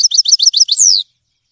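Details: A grey-headed goldfinch (Carduelis caniceps) gives six rapid doubled chirps, then one drawn-out whistle that falls steadily in pitch.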